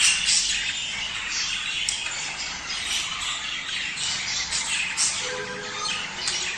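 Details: Budgerigar chatter played to encourage mating: fast, overlapping chirps and rasping warbles, with bright accented notes coming roughly four times a second, and a brief lower tone near the end.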